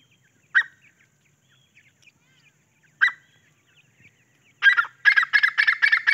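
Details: Grey francolin chicks foraging for food. Two short, sharp notes around half a second and three seconds in, then a fast run of loud, harsh, repeated notes closing the recording.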